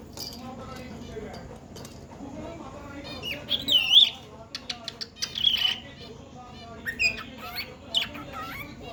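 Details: Pet cockatiel whistling indoors: short chirpy warbled notes in bursts through the middle and end, heard over Hindi speech in the background.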